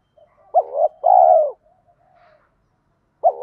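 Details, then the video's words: A decoy spotted dove coos to stimulate other doves, in the 'thúc gù' urging style: one phrase of a short wavering note and a long, full, falling coo, then the start of the next phrase. "tiếng chim cu gáy kích bổi nhanh nổi, cu mồi thúc gù giọng hay, cu cườm gáy thúc gù"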